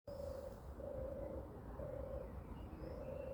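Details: European turtle dove walking on the ground, recorded 29 May 2023 at 6:34 in the morning; low, rough purring phrases repeated steadily, four in a row with short gaps, over a low rumble and faint higher bird notes.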